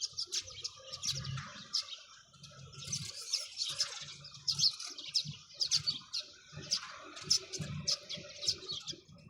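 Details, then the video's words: Flock of sparrows keeps up a busy, continuous chatter of bright high chirps, bursts swelling and fading every second or two, with faint low knocks underneath. "চড়ুই পাখির কিচিরমিচির শব্দ Chirping sound of sparrows"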